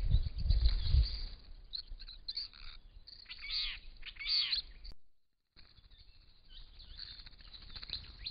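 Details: Purple-crowned lorikeets at a property pond, two adults with two young that have just left the nest, plus a Little Lorikeet; a run of shrill, grating screeches midway, a brief silent gap, then softer chatter.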